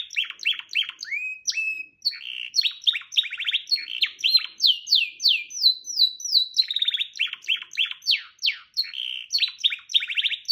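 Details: Canary singing a fast, varied song of rapid trills, buzzy rolls and upswept whistled notes, phrases changing every second or two with brief pauses, loud and clear with no other sounds.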